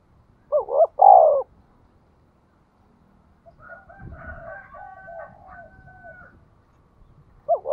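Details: Spotted dove lure call for provoking wild birds: a two-part coo and a long drawn coo, then a quieter distant cooing passage, and the next phrase starting at the end.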